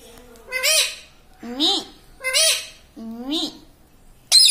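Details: Pet green ringneck parrot mimicking human words like "mummy" and "radhe radhe"; four evenly spaced, nasal, arching syllables about a second apart, ending with a sudden harsh squawk.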